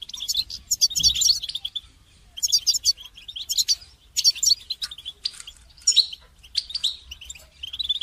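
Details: Goldfinch song for songbird training, with bursts of fast, high, tinkling twitters and buzzy notes separated by short gaps, and a faint low knock near the first second.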